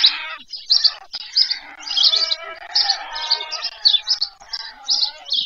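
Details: White stork chicks at supper on their nest, Leliaky village beside Pyriatynskyi National Nature Park, Ukraine, 21 July 2024, nest camera. Rapid rhythmic series of shrill, buzzy squeals over a sustained nasal hum.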